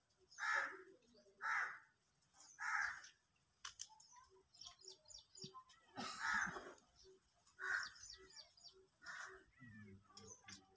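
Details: An Indian peafowl, among peacocks in dance display, gives loud, nasal, harsh calls in a series of about six, some close together and some a second or more apart, with faint chirps between.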